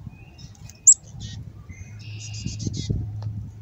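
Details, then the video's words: Adult female black-capped chickadee begging like a fledgling before nesting season, fed by her mate and a person: a sharp high tick, then raspy, buzzy bursts in quick stuttering series, over a low background hum. "Chickadee Begging In A Raspy Voice (Like A Fledgling)"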